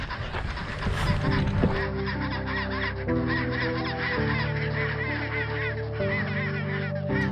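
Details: Huge chinstrap penguin colony of about 100,000 nesting on a rocky, mostly ice-free peninsula at Baily Head, Deception Island, South Shetland Islands, Antarctica: many harsh, honking brays overlapping in steady chatter, with background music droning throughout.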